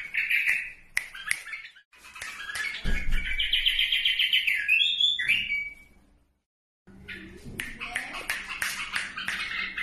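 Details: Bulbuls of Iraq in song: a bright warbled phrase rises and falls over scattered sharp clicks and chirps. A brief silence follows, then a busier stretch of mixed chirping and a low hum.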